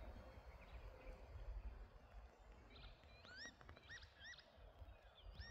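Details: On 7 June 2024 at Prošca in Ljubljana Marsh, Slovenia, a Northern lapwing gives several slurred, wheezy 'pee-wit' notes that rise and then drop in the second half. A steady low rumble of wind runs throughout.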